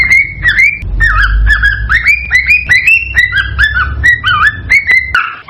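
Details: Excited cockatiel singing to encourage mating, made of rapid whistled phrases with rising and falling slurs, some notes bending down then up, spaced by clicks, above a low background rumble that cuts out near the end.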